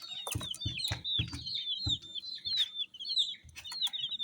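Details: Brightly dyed chicks give rapid, overlapping high-pitched cheeps falling in pitch, with a series of low knocks early on.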